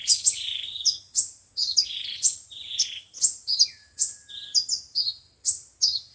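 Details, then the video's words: Sunbird song played through a speaker to lure birds for trapping: rapid high chirps and sharp descending twittered notes in quick bursts, with one thin sustained whistle midway. "Tiếng chim hút mật 5 màu và 7 màu"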